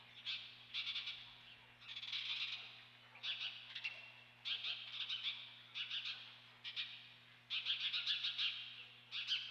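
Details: Osprey at the Dunrovin Ranch nest, 28 May 2013, gives bursts of harsh, high squealing calls in uneven clusters with short gaps, over a continuous low hum.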